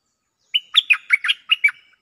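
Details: A Cream-vented bulbul's lure call, answering a resident bird, is a quick bubbly phrase of about seven liquid chirps over a second, mid-high and slightly slurred, with no other sounds.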